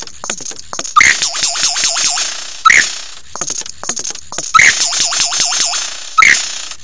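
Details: At Ben Ricketts, 9 AM, 16 November 2022, a lyrebird sings close by. Loud bursts open into rolling, wavering whistles that rise and fall about four times in quick succession, repeated in two similar phrases over a hissy background.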